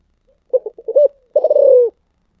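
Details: Spotted dove, thổ sấm cooing style: a broken series of short throaty coos rising into one note, then a long pulsing coo that descends. No other sounds.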